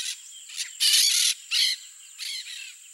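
Peach-fronted parakeet giving harsh, buzzy screeches in short bursts, the loudest about half a second long, over a steady high insect-like hiss.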